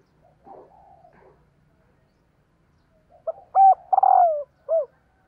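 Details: Female spotted dove giving its call to stir up males. Faint low murmuring opens, then a single loud phrase follows: a clipped note, a rolling vibrating coo and a short downslurred closing coo.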